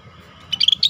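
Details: Rare scaly-breasted bulbul singing freely for a tutoring recording: a brisk cluster of five or six bright, bubbly chirps in quick succession, closed by a separate sharp note, with quiet low background rumble.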